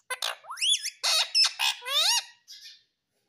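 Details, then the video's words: Pet ringneck parrot imitating the words "mummy papa": a quick run of grating, wavering syllables with sweeping pitch, ending in a soft trailing note. "Mummy Papa Bolne Wala Tota || Talking Parrot || Sweet Ringneck Parrot Talking"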